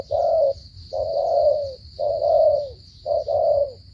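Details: Spotted dove giving loud stammering coos: a short hoot then a drawn-out, gently falling coo, four phrases in quick succession, with a faint continuous high hum.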